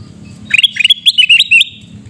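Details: Loud, close sooty-headed bulbul from Reului, Pidie, Aceh, giving one burst of about ten quick, scratchy, upslurred chirps. The burst runs for about a second over a faint low hum.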